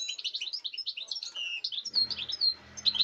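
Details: European goldfinch singing on 05.08.2019, quick bright twittering phrases with a thin slurred whistle; low rumbling noise enters in the second half.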